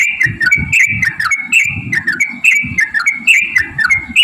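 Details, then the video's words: Yellow-vented bulbul giving whistled, slurred notes in a choppy repeated pattern, roughly two per second, as a lure to make other bulbuls sing; bursts of low thumping noise run underneath. "trucukan gacor TARUNG ROPEL PANJANG pancingan trucukan agar bunyi"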